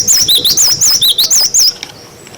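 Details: Cinereous tit, a clear recording meant to train young birds, giving one quick phrase of rolling high whistles, wucit-wucit notes dipping and rising, ending after under two seconds.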